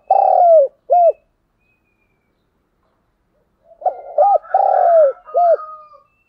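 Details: Cooing from a Spotted dove used as a decoy. A long falling coo and a short arched note are followed by a pause. The phrase then repeats, opening with quick soft notes, while a thin whistle runs faintly alongside.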